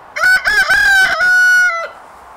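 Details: A rooster at Emma Prusch Farm Park crows once, a loud harmonic cock-a-doodle-doo with a broken, stuttering start that settles into a long, level held note before dropping away at the end.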